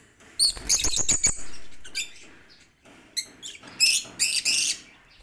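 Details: Caged lovebirds queuing to eat corn in a planted aviary on a lively morning; bursts of shrill, scratchy chirps in clusters, with a break in the middle and faint rustling beneath.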